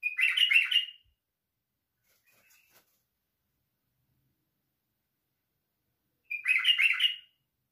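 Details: Song of a white-eared bulbul: a brisk, chattering warbled phrase opening the recording, a long quiet gap, then a second similar rollicking phrase near the end.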